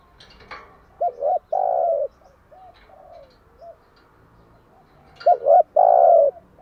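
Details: Spotted dove giving its morning coo, a recording meant to lure doves and train them to call: two phrases of doubled short notes and a long low coo, with softer quiet coos between and faint clicks.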